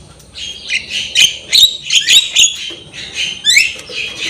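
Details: Javan myna singing in a training recording, with harsh, buzzy, squawking bursts mixed with short whistles, delivered in uneven, rapid phrases over a hissing background.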